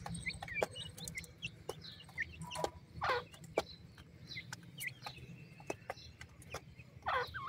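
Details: Newly hatched black (jora) partridge chicks give short, sharp cheeps and soft clucking notes, scattered and overlapping, with a few louder, harsher calls and a low background hum.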